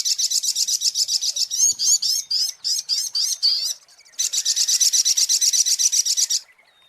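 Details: Sunbird lure recording: rapid, high, buzzy notes repeated about four times a second in long runs, broken by a slurred, twisting phrase and a brief pause before the fast series resumes.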